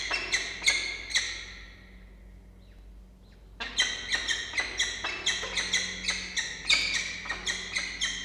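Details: Peregrine falcon family in a water-tower nest box at Orange, New South Wales, Australia, with two days-old chicks in early October; a few sharp chirps, a quiet pause, then a rapid, uneven series of short high chips, about two per second.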